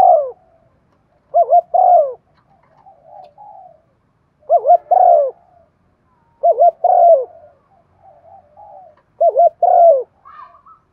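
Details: Spotted dove, a decoy bird in the Thổ voice style, giving its calling coo used to lure wild doves: four phrases, each a quick doubled low note then a longer falling hoarse coo, spaced about every three seconds, soft murmurs between.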